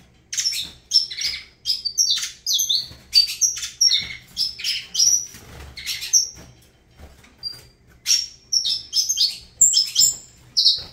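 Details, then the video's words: Saffron finch song from the bird called Avalanche: quick clipped chirps and high ringing whistles delivered in steady pulses, with a brief lull near the end. "Canto do Canário da Terra Avalanche"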